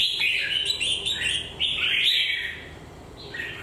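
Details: Red-whiskered bulbul with a molting beak base and a faint shoulder spot, delivering a rapid run of bright, slurred whistled notes that rise and fall, then trail off into softer notes.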